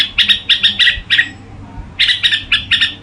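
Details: Red-whiskered bulbul singing in gù style: a run of crisp chirped notes, a half-second quiet spell, then the quick chirping resumes.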